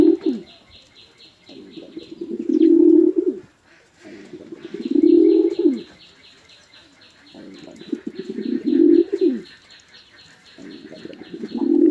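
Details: Pigeons, male and female, fighting on a farm in a Chittagong District village, Bangladesh: deep rolling coos swell in four long phrases, over a steady high rapid chirping from other small birds in the background.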